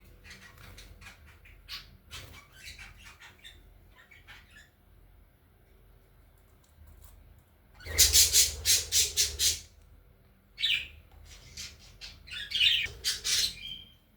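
Budgerigar giving harsh, rapid squawking chatter in loud bursts, with softer chirps between.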